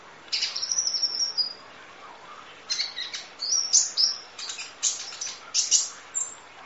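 A sunbird sings very high, thin, rapid twittering phrases in short bursts, some with sharp ringing notes, broken by brief pauses.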